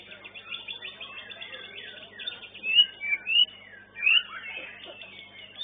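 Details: At a songbird contest arena, white-rumped shama song with a few loud, sweeping whistled phrases and slurred notes rising and falling. These are set against a busy background of many other birds chirping and warbling.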